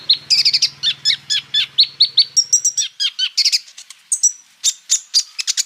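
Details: Sunbird ("kolibri ninja") singing full song material with rolls, recorded for other sunbirds to copy: a fast, high jumble of sharp chips, rolling trills and thin whistled notes, several bursts each second, with a faint low hum at the start.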